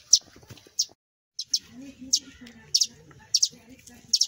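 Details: Sparrow chicks that dropped from their nest give bright high chirps, singles and pairs, while a low human voice murmurs underneath.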